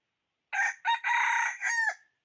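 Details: Decoy red junglefowl rooster crowing to lure wild fowl: a single crow with two clipped opening notes, a long even harsh middle section and a tailing, descending final syllable, lasting roughly one and a half seconds.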